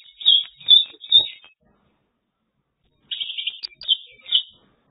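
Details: Mongolian lark from China: three clear chirped notes about half a second apart, a silent gap, then a scratchy twittering phrase with a couple of high sharp notes and two more chirps.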